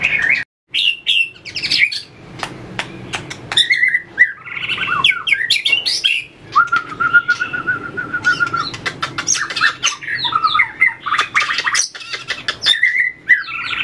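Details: White-rumped shama training for competition singing, flicking its tail on the perch, mixes varied whistled phrases with a long even trill lasting about two seconds, plus frequent sharp clicks.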